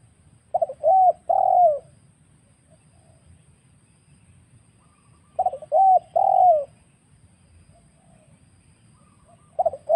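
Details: Wild spotted dove, recorded to lure birds for trapping, giving stuttered coo phrases ending in a long downward-sliding coo, repeated roughly every five seconds over a low background hum.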